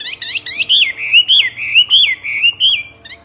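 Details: Loud myna song of bright whistled notes, each swooping up then down, repeated roughly twice a second in a steady phrase.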